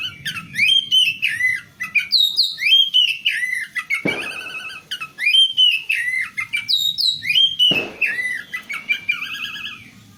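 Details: Female oriental magpie-robin sound used to coax a male that has stopped singing; repeated phrases of clear whistles sliding downward, with two sharp loud knocks or clicks between phrases and faint low rumbling behind.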